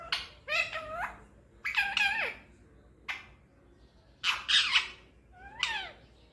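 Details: Indian ringneck parakeet kept as a pet, talking in a small room: clipped speech-like syllables with bent harmonic bands, some rising then dropping sharply, in bursts separated by short pauses.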